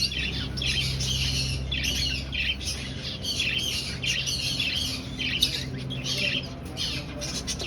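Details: Finches in an aviary breeding colony, finding a nest: a dense, continuous chorus of high, squeaky chirps and chatter from many birds, steady throughout, over a low mechanical hum.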